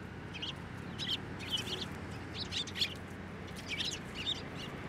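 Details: Several Eurasian tree sparrows at a Tenmangu shrine in Japan, 9 December 2023, flying to a hand for food; bursts of sharp high chirps come in small clusters every second or so, with faint low rumble behind.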